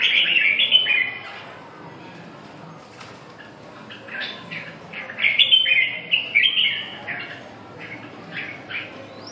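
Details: Red-whiskered bulbul singing in bursts of rich, warbled phrases with slurred whistles, separated by quieter pauses.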